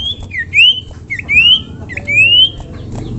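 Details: Common iora calling to set other ioras singing: three clear rising whistles, each preceded by a short lower note, spaced roughly every 0.8 seconds over low background noise.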